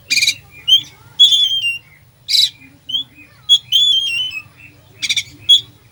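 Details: Oriental magpie-robin (kacer) singing a full isian song of inserted phrases, used to rouse a sluggish kacer: harsh noisy bursts alternate with clear high whistled notes and short slurred phrases, over a steady low hum.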